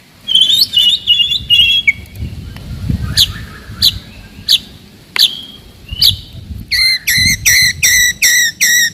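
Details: White-rumped shama singing to rouse rivals and train young birds: loud sharp descending notes and whistles in dense bursts, ending with a fast series of repeated metallic chirps, over low rumbling background noise.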